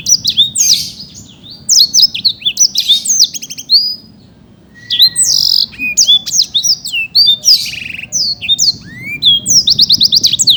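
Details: Black-throated canary, a contest winner from Bekasi, Indonesia, in vigorous song: fast bursts of high chirps, trills and slurred whistles, one short silence near four seconds, then more dense twittering.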